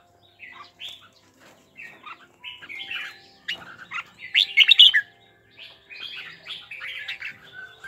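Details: Red-whiskered bulbul making kekek calls alongside a wing display; scattered chirps build to a loud cluster of sharp notes midway, followed by quieter warbling phrases over a faint steady hum.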